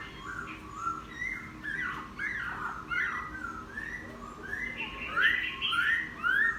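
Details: A newly caught wild laughingthrush, kept ten days and now singing, pours out varied whistled phrases, rising and falling slurs that grow louder and higher toward the end, over faint background hum.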